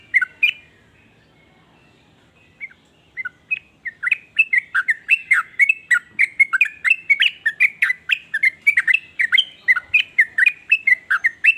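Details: Sooty-headed bulbul in varied song that gets other bulbuls singing: a few scattered notes at first, then a long, steady sequence of loud, bubbly whistled phrases, about three per second.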